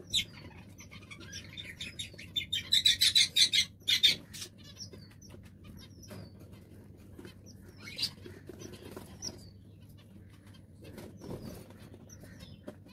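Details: Zebra finch during its eggs' hatching, giving a quick burst of high, nasal chips, then scattered softer calls.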